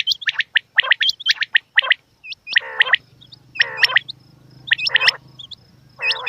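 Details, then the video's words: Female quail calling with quick sharp chirps and hooked whistles, then broad raspy gargles roughly every second over a soft low droning background. "Batair Ki Awaz Quail Sounds bedana ovozi Bedana makiyon bedana sayrashi bedana sayroqi"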